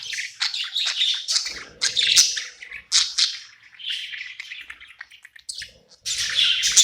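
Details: Pet budgie at night in a new home, cheerfully singing: a fast, rambling chatter of high scratchy chirps and clicks, with a faint low hum underneath in places.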